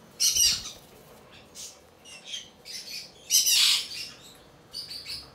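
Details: A young albino cockatiel, tame to the hand, in Fukuoka, Japan, 2023, uttering rough, wheezy, hissing squawks in irregular bursts, two long and loud, with fainter raspy notes between.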